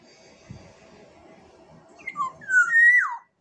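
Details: Black-naped oriole from Sumbawa: a quiet murmuring background gives way to a clear fluted phrase, with short slurred whistles building to one long, loud, smoothly falling note.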